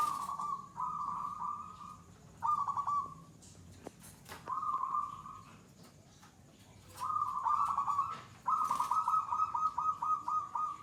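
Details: Zebra dove (perkutut lokal), a mentally settled, fearless bird, giving gacor third-stage song: repeated purring, pulsed coo phrases on a level tone, some short and some longer, with brief gaps and faint clicks between.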